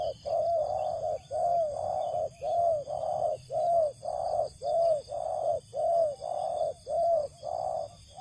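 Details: Spotted dove calling in a rice field, used to lure wild doves: a steady series of low, hollow coos, each with a slight rising-falling inflection, repeated almost every second across the stretch with a faint high hiss behind.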